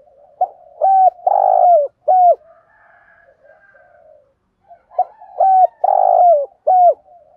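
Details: Spotted dove cooing as a lure for trapping birds, two matching phrases of clipped hollow coos with a longer drawn middle note, quiet murmuring coos between the phrases.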